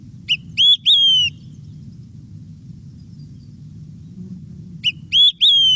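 Olive-sided Flycatcher sings a loud whistled 'quick-three-beers' twice: a short pip, then two emphatic slurred whistles, the last falling, over a low steady rumble.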